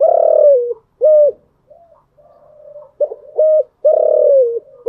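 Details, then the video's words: Early-morning spotted dove repeating its standard-tone coo: a long quavering falling coo and a short note, soft low murmurs, then short notes leading into another long coo. "Tiếng chim gáy buổi sáng"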